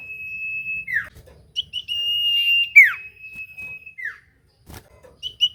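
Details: Common iora whistling as a lure to get other birds to respond: long, even, high whistles, each ending in a falling slur, repeated with short pauses and a faint click midway.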